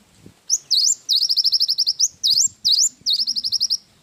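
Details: Cinereous tit in lively isian wingko song, a training recording for songbirds: high, sharp V-shaped whistles mixed with fast rattling trills of repeated notes, running almost without pause for several seconds.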